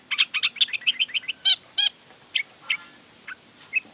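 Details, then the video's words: Long-tailed shrike in agitated song meant to stir other shrikes to reply. A rapid run of short chirps is followed by two loud harsh rasps, then scattered single notes. "Toetan Cendet Gacor Full Emosi Bongkar Materi Bikin Cendet Lain Langsung Panas Nyaut Ikutan Bunyi"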